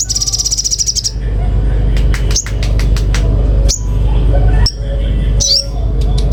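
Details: Common iora opening with a quick, high, even trill, then scattered sharp chips and short rising whistled notes separated by pauses, set against a loud continuous low droning hum.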